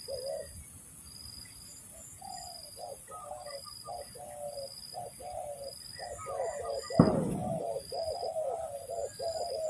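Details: Spotted dove calls used to lure doves for trapping: a quick run of short, low cooing notes, broken by a loud knock partway through, with a pulsing high whine behind.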